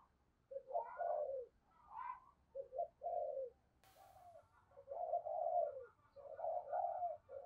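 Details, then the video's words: Spotted dove kept as a decoy, prized for a deep 'thunder' voice, calling to lure wild doves: a steady run of mellow throaty coos over low background rumble, with one brief click. "Tiếng Chim Cu Gáy Giọng Sấm Bầu Gáy Hay"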